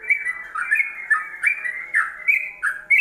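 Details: Yellow-vented bulbul singing ropelan style for songbird training: loud, fast string of bright whistled notes, warbling up and down in short bursts almost every half second.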